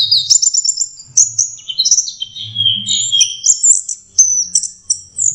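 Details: Orange-headed thrush, a young bird learning its song, delivering quick high twittering notes and short whistled slurs in an uneven stream, with brief pauses near the end and faint low background hum.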